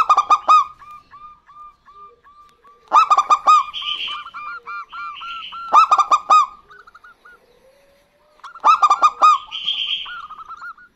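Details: Local zebra doves, a male and female duetting. Four loud bursts of rapid rolling coos, each trailed by steady series of gentle curved notes, with short buzzy higher calls after some bursts; a brief pause near the end.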